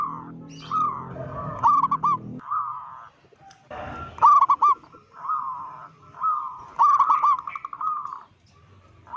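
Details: A local zebra dove calls loudly to provoke rival doves, mixing clipped stuttering coos with longer rolling trills. A low murmur fills the opening seconds and the phrases come in irregular bursts.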